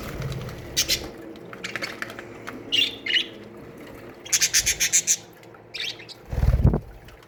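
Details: Budgerigars kept as an aviary colony burst into rapid, evenly spaced chirps, a run of about eight quick notes, plus buzzy warbles, wing flaps and a low bump near the end.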